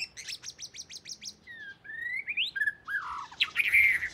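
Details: Oriental magpie-robin of the southern type, the household's first bird, singing a varied phrase: a rapid run of sharp repeated chips, then smooth rising and falling whistles, ending in a bright, buzzy warble.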